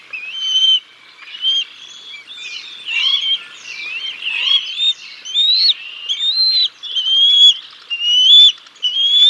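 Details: Bald eagle family at the Decorah North nest, 6 May 2022, as the father brings a fish and feeds the chicks until the mother takes over: steady run of high whistled, slightly rising notes, roughly one per second, with a few squeals mixed in.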